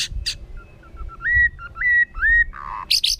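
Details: Singing white-rumped shama, forest-voice kéo thuốc lào style used to provoke wild birds: soft low notes leading into three looping whistled phrases, a harsh rasping burst, then sharp high buzzy notes.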